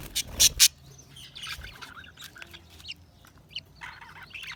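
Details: Budgies chirp with soft, high, warbling twitters scattered through the clip, preceded by a few loud clicking knocks at the start.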